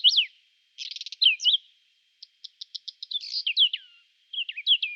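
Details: Singing Whinchat, spring, April 2020, recorded on a Nikon Coolpix P1000: a downslurred whistle, a grating rattle, then a steady series of short ticks leading into mixed buzzy and whistled warbling.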